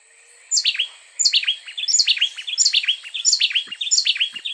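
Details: Two Costa Rican wrens sing an antiphonal duet, trading bright, looping whistled notes about one and a half per second as one seamless song; one bird, closer and louder, starts before and ends after the other.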